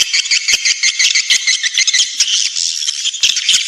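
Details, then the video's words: Nesting lure for swiftlets: a loud, shrill, rattling chatter of numerous birds, fluttering and buzzy, with short gaps and sharp clicks breaking the dense stream of twitters. "Suara panggil walet menggemma"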